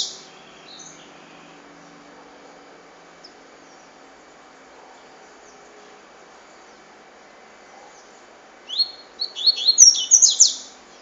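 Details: After a long near-silent stretch, a double-collared seedeater sings one short cachoeira phrase of rapid, high, buzzy descending notes near the end.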